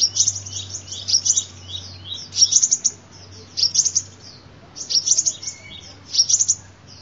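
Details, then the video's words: Sunbird song played as a lure recording: bursts of very high, thin, rapid twittering and chipping notes, each about half a second to a second long, repeating roughly every second or so, over a faint steady low hum. "tiếng chim hút mật"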